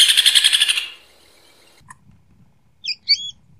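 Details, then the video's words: Rufous hornero song: a loud, rapid burst of shrill, ringing notes lasting under a second, then a pause and two short, sharp chirps. "Hornero Canto - Rufous Hornero Bird Song"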